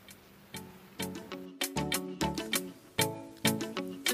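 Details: Rhythmic music with plucked, percussive notes striking about twice a second, and no animal voice.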